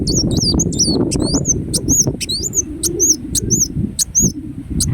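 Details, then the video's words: Ruby-cheeked sunbird, known in Indonesia as kolibri wulung, singing persistently: rapid series of very high, thin, hooked whistled notes in quick bursts, some sharp ticks between them, over a steady low rumbling background. "Kolibri Wulung Gacor Dorr Bocor Corr"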